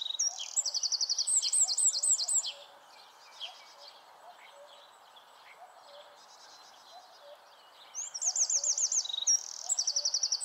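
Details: A Eurasian wren sings constantly to mark its territory, giving two loud, fast bursts of high rattling trills and sharp notes, with faint bird calls between them; a common shrike perches nearby.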